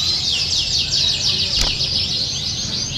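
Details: Canary pouring out rapid, tightly packed high trills and twittering rolls without pause, meant as practice listening for contest birds; a single sharp click cuts in midway.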